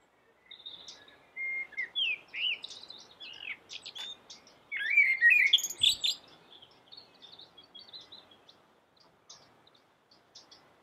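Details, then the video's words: Common blackbird singing: a run of whistled, warbling phrases that rise and fall, building to a louder burst of sweet notes and high twitters near the middle, then trailing off into softer scattered chirps. "suara merdu common black bird"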